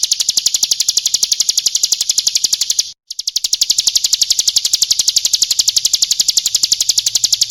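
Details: Calling female bar-winged prinia, played as a lure for males: an unbroken run of fast, regular, high-pitched ticking notes, interrupted only by one brief gap.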